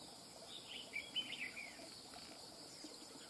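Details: Red-whiskered bulbul, a wild-caught bird, delivers a short run of rapid chirpy whistles that rise and fall, lasting under a second, against constant buzzing insects.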